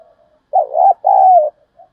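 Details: Spotted dove calling in the urging 'thúc' manner, used to pull wild doves in fast: a bumpy, quavering coo joined to a sustained falling coo, with brief faint coo fragments before and after.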